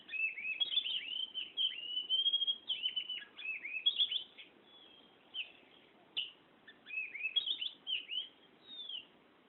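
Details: Kacer, the Oriental magpie-robin, delivering continuous ngerol song: long runs of high whistled and sweeping warbled notes, with brief gaps, then fresh bursts of rising and falling phrases.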